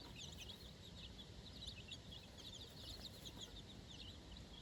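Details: A brood of four-day-old chicks out on fresh grass for the first time with their mother, giving rapid thin peeps in clusters, high and slightly descending, with a low background rumble.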